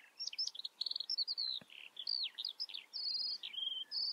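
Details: Eurasian skylark song: a fast, tumbling run of high twittering notes, rolled trills and clipped whistles pouring out without a break, with one faint low tap in the background.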